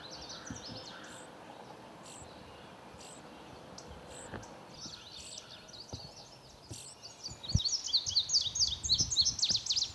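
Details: Indigo Buntings at their nest give sharp, high chip notes every second or so, then a quick burst of thin, rapid twittering near the end, over low background rumble.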